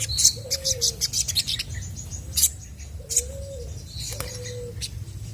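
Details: Chestnut-backed scimitar babbler singing actively to draw replies from other birds, giving three low, mellow whistled hoots with slightly arched pitch, set among sharp, high, rapid chirps from other birds.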